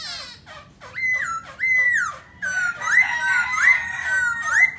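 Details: ['Black laughingthrush in song while dancing: a sequence of loud, clear whistled phrases that rise sharply and then hold level or dip, repeated about every half second with brief harsh overtones.']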